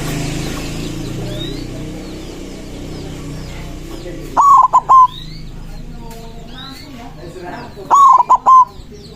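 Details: Cooing phrases from a white zebra dove, played to provoke rival doves into answering: two bursts of quick, tumbling notes about three and a half seconds apart, with faint chirps of other birds in the background.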